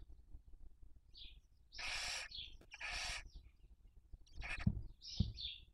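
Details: Barn owl nest in Cabañeros National Park, Toledo/Ciudad Real, Spain, breeding season 2023, young being raised: two rasping hissing screeches back to back, flanked by brief high chirps and a few low thumps.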